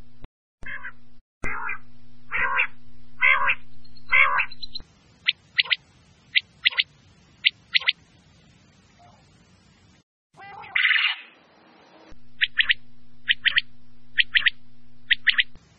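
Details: Quail (batair) from KPK: loud, buzzy, rasping bursts about once a second over a low steady hum, then sharp high pips in quick pairs and triplets, with a short rushing noise burst midway.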